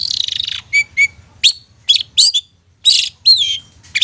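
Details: Shrike song played as a lure to provoke silent long-tailed shrikes into song: loud harsh buzzes, clipped whistles and a few slurred notes, delivered in short separated bursts.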